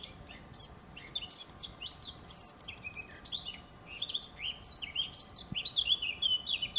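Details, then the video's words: Eurasian blackcap singing in a garden on 7 June 2015: a rapid, rich warble of bright, fluty, high notes that tumble on without pause. "Fauvette a tete noire chante"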